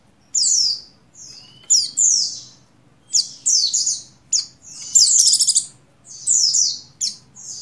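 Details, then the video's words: Breeding female Oriental white-eye of the buxtoni form calling a male: high slurred chirps in pairs and small groups, one fast buzzy trill near the end, and a faint low rising whistle in the background. "Begini Call Burung Pleci Betina Birahi Memanggil Jantan Merangsang Buxtoni Gacor"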